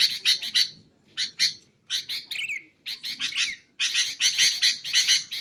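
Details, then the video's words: Sooty-headed bulbul recording for luring and for training caged songbirds. Clusters of harsh chips alternate with pauses, and a wavering descending whistle sits among the bursts. "BURUNG KUTILANG untuk ocehan mantab"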